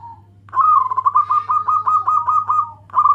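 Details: Loud local zebra dove calling to companions: one long rapid trill of bubbling coo pulses lasting over two seconds, then a fresh phrase starts, with a constant low electrical hum behind it.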